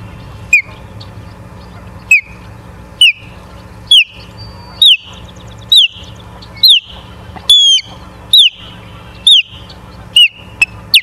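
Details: Ospreys at a nest in Charlo, Montana, 24 August 2023 at 17:43. Loud, short whistled chirps that drop in pitch, repeated about every second, with a steady low hum beneath.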